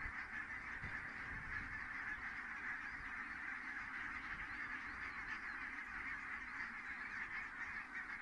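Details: Evening landing of a big goose flock at Kulgur, Estonia, in May 2018, giving a constant hum of faraway honking with no single call standing out.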